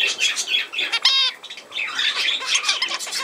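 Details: Budgerigar chatter from 17 November 2024, a busy mix of scratchy twittering and short whistled notes, with one clearer rising-and-falling whistle in the middle.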